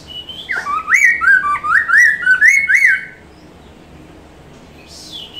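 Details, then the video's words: Hwamei song, recorded as a tutor recording for other cage songbirds such as magpie-robins, shamas and green leafbirds: a rapid three-second run of loud, looping whistled notes that rise and fall, followed by quiet with a faint high chirp. "poksay Mandarin masteran langsung nyaut"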